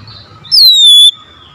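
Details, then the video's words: Oriental magpie-robin song meant as a lure to get a reluctant, quiet bird to respond: one pure, loud whistle that drops quickly, then holds a steady tone for about half a second. "KACER BISU MALAS BUNYI PASTI LANGSUNG NYAUT RESPON PASTI EMOSI BONGKAR MATERI"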